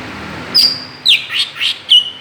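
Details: Greater green leafbird calling as a lure to stir other birds, giving a few loud, shrill, slurred whistles with harsher noisy notes between them.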